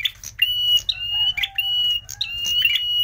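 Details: Red prinia (prenjak merah) song played as a trapping lure: sharp clicking notes leading into long, level, high whistles, interspersed with chattery bursts and a lower sliding tone, strong and continuous.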